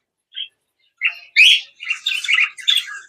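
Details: Rainbow budgerigars squabbling in a breeding colony during a fight between females; a lone high chirp, then scratchy chirps building into a loud burst of grating squawks and chatter.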